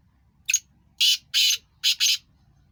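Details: Black francolin, apparently one of two calling, gives a harsh, grating phrase of five rasping notes: a short lead-in, then two paired bursts, all within under two seconds. Nothing else is heard.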